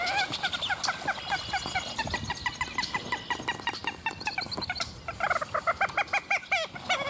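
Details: Several very vocal Common Gallinules give loud, nasal, chicken-like clucks in a rapid run that speeds up into a harsh, laughing series toward the end.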